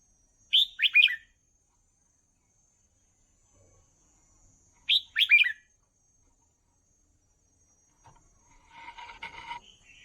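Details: Red-whiskered bulbul kept caged, singing as a model for young birds: two matching quick warbled phrases about four seconds apart, followed by a burst of scratchy, rattling background noise.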